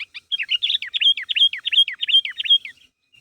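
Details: Energetic sooty-headed bulbul calling others to respond, giving a quick, fairly regular series of about fourteen slurred notes, each sliding downward, over nearly three seconds.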